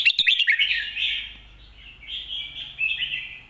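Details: Red-whiskered bulbul singing a clear lagwai-style master song: a quick run of sharp notes, then smooth, slurred, warbling whistles rising and falling over about three seconds, with a faint low hum beneath.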